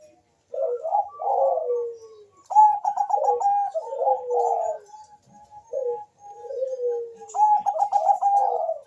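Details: Zebra dove in rapid calling duel with a rival, used as a lure: rolling coo phrases, bursts of fast clipped staccato notes and long downward-sliding coos trading back and forth.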